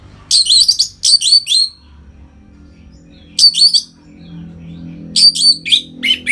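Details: Captive orange-headed thrush in 'ngeplong' song meant to stimulate birds to breed. Very high, thin, rapid twittering bursts come in clusters, with pauses of about two seconds between groups.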